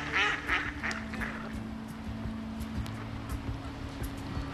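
A mallard gives three quick, nasal quacks in the opening second, then falls silent over a steady low mechanical hum.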